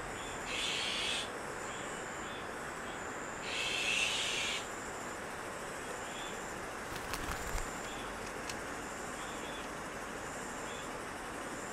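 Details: At Maeji-ri, Wonju, Korea, where Azure-winged magpies raise their young, two coarse, scratchy begging bursts sound a few seconds apart, followed by quiet with a pulsing high insect drone and a few faint clicks.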